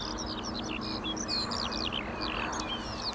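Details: Eurasian skylarks in full song, pouring out quick high twittering notes and short slurred whistles with hardly a pause, while a faint hum of human traffic runs underneath.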